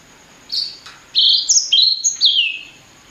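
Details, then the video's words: Blacksang hybrid, from blackthroat and sanger parents, giving a clean short phrase of flat and gently falling high whistles after a half-second pause, bright and crisp. "Kicau Merdu Blacksang Gacor"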